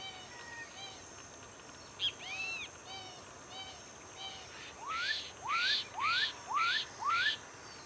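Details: Black-capped donacobius with soft low notes and looping curled whistles, followed by a run of five loud upslurred whistles, each rising sharply, repeated roughly every half second over a constant hiss.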